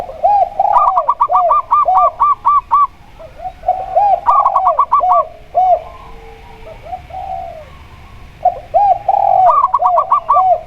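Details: Local zebra dove sounding against a spotted dove with a steady double coo. Rapid runs of sharp, staccato cooing notes trade with lower, mellow rolling coos in three main bouts, all close and clear.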